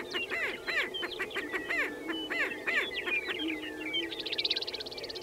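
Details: Lekking prairie chickens at Fort Pierre National Grasslands, South Dakota, give a run of rapid, clucking cackles about four per second over a low hum, then a fast buzzy pulsed rattle.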